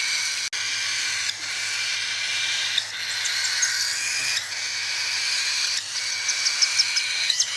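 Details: Cockatiel begging during a hand-feeding session: a continuous raspy, hissing drone with steady tonal bands, broken by brief pauses and a few sharp clicks near the end.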